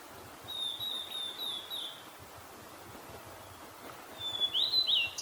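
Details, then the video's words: Male Blue-and-white flycatcher in Kita-Harima, Hyogo Prefecture, Japan, answering a female calling nearby: a clear whistled phrase of sliding notes, a pause, then a louder, quicker whistled burst ending in a twisted flourish, over soft rural background hiss. "オオルリの雄が雌の鳴き声に反応する Blue-and-white flycatcher"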